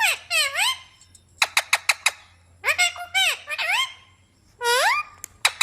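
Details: Pet ringneck parrot talking in a small room: short upward-sweeping harmonic phrases, a series of crisp clicks, then louder speech-like syllables separated by quiet gaps over a low steady hum.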